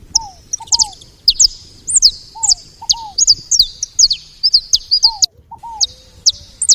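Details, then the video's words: Feeder chatter of saffron finches, made of crisp high chips spaced irregularly, often in pairs or triplets, with soft, lower arched double whistles between them. "Canário da terra fazendo barulho na seva"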